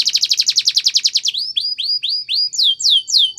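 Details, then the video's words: Spanish Timbrado canary delivering a training song: a fast even trill of bright notes for over a second, then slower clear swooping whistles that rise and fall, roughly three per second. "Many canaries join in singing after listening to this song"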